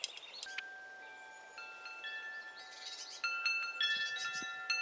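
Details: Metal wind chimes ring in clear, sustained tones that overlap and fade, with bursts of brighter clustered strikes near the middle and end. No animal voices are heard.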